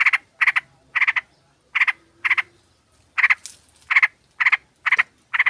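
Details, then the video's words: Lure recording of a sooty-headed bulbul flock, with a female calling males to bring birds in and spur lazy singers: paired, rasping chatter notes repeated in quick doublets, loud and clear, with little background. "Pancingan trucuk ombyokan"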